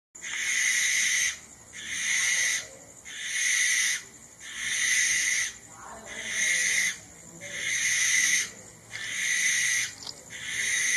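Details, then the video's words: Barn owl (Tyto alba) giving a series of six harsh, hissing screeches, each about a second long and separated by short gaps, repeated steadily through the recording against a quiet background. "Barn Owl call"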